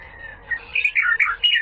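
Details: Bird called little fellow, described as a rare bird, in a masteran training recording for pet songbirds: a brief burst of high, squeaky chirps and quick warbled notes that jump between pitches, with a faint room hum underneath.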